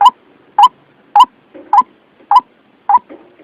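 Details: White-breasted waterhen trapping lure call, clear and natural-sounding: short, hoarse, slightly rising notes repeated regularly about every 0.6 seconds, six notes with soft low murmurs between them.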